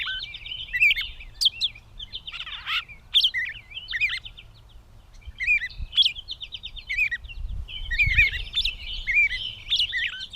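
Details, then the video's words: Gray catbird recorded 16 May 2020 in Bowdoinham, Maine, pouring out jumbled twittering phrases of buzzy chatter, squeaks and slurred whistles, in bursts separated by short gaps, over faint low background noise. "The many sounds of the Catbird"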